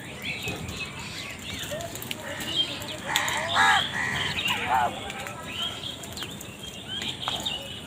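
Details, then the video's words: Crows, possibly squabbling over food, utter a cluster of harsh, rasping caws in the middle of the recording, over steady high chirping from other birds and a noisy background. "Crow Bird Crowing Sound part 67 | Crow ki Awaz Naturally"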